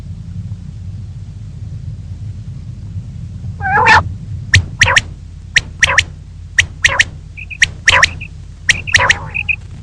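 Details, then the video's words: Common quail female calling in the morning: quiet low hum at first, then a nasal squawk followed by sharp clicks and short paired high whistles. "Female Batair Ki Awaz| Common Quail Calling Batair Ki Awaz"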